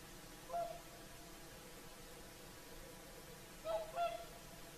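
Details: Evening whooper swan singing by Lake Saimaa in Finland at sunset: a single horn-like honk, a long pause, then a closely spaced pair of bugling notes.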